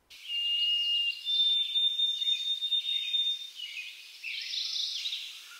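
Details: White-throated Sparrow spring song in a Central/Eastern US backyard: pure, slow whistles, a lower held note then a higher one breaking into quick repeats, "oh sweet Canada Canada", over steady background hiss.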